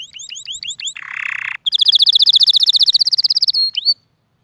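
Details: Canary song with a series of upward-hooked whistled notes, a short harsh buzzy section, then a long fast ringing trill and a final rising chirp, loud and clear over near silence.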